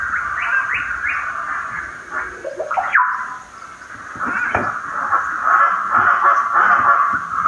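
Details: Chestnut-fronted (severe) macaws (Ara severus) in Peru give harsh, rasping squawks in quick bursts, some sharply rising, running into a steady raucous chatter.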